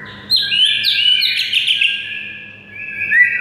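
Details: Training song of a white-rumped shama for making mute shamas sing: a dense, rich warble of overlapping high whistles and chattering notes, then a softer sustained whistle rising at the end, faint electrical hum beneath.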